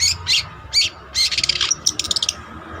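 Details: Active long-tailed shrike of the trotol type, used as a training master: a few harsh slurred notes followed by a fast rattle of bright, clipped whistles.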